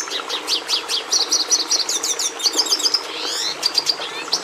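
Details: Red siskin singing a lively medley: a run of separate high chirps, then quick rippling trills, swept buzzy notes and a brief sharp whistle near the end.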